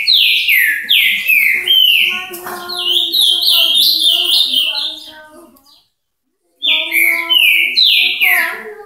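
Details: Ultramarine grosbeak singing, Paraná: a fast run of rich, downward-slurred whistles over fainter lower warbled notes, a short silence, then the song starts again.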